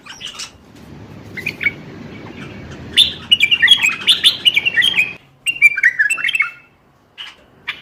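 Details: ['Bulbul song played to encourage silent birds to sing: a few scratchy notes over a low rumbling hum, then lively liquid warbled phrases rising and falling, a brief gap, more warbling and isolated chips.']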